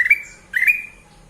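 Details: Sooty-headed bulbul (kutilang emas) giving two short whistled notes, each rising slightly then holding a level tone, about half a second apart.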